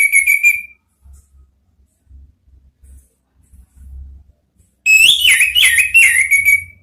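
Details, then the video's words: Orange-headed thrush lure song for the 'ngeplong' sound, 'ngeriwik' style: a short whistle trails off, soft low thumps fill a pause of about four seconds, then a fast tumbling run of warbled whistles follows. "Siulan ANIS MERAH ampuh memancing BUNYI NGEPLONG ¦TERAPI PANCINGAN ¦ KICAUAN NGERIWIK"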